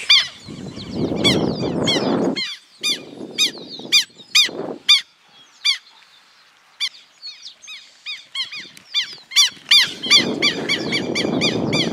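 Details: A pair of Southern lapwings attacking the person filming gives loud, strident, metallic alarm notes, about two or three per second in uneven bursts, over gusts of wind and handling noise.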